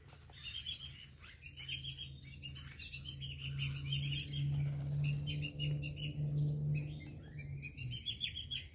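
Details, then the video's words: A flock of Wattled Starlings visiting a garden in Namibia every morning: bursts of bright, scratchy chattering and squeaky chirps in quick irregular clusters, over a steady low hum. "Wattled Starlings"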